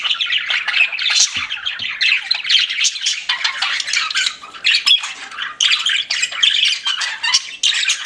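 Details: Pet budgerigars chirping together, a dense chattering flock of warbles, squeaks and scratchy notes running almost without pause through the clip.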